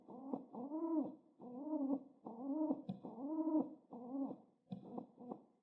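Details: Cooing of a pet pigeon excited while being petted, a near-continuous chain of low rolling coos, each rising then falling, with brief quiet breaks and a few faint clicks.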